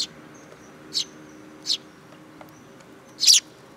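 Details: Sparrows visiting a Tenmangu shrine for food, 8 July 2022; four loud, separate high chirps about a second apart, the last one doubled, over a steady low background hum.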